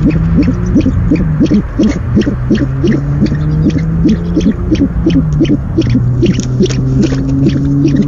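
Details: Owl at a nest, night of 17 February 2015, as the male makes the first food delivery of the night; short low notes repeat rapidly, about three per second, over a steady electrical hum.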